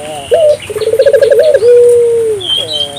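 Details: Vigorously calling African collared dove, played to lure local doves into calling: a brief rising note, a rapid rolling trill, then one long steady coo that slides downward, with thin high bird chirps in the background.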